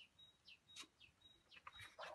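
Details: Outdoors in the wind, a great tit sings faint, high two-note "teacher, teacher" phrases in the background, a thin note dropping to a lower one about twice a second, with paper rustling nearby.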